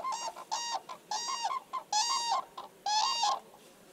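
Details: Common cranes dancing in spring give loud, rolling trumpet calls: five brassy bursts in about four seconds, each rich and slightly rattling, with quiet gaps between.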